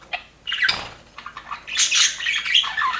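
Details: Happy aviary budgies give scattered chirps, then a soft rush like flapping wings, followed by louder bursts of squeaky chattering calls.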